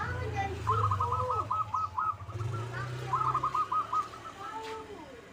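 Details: Local zebra dove lure song meant to prompt a rival's reply: two rolling runs of quick cooed notes over a loud low engine rumble, with faint voices and traffic noise behind.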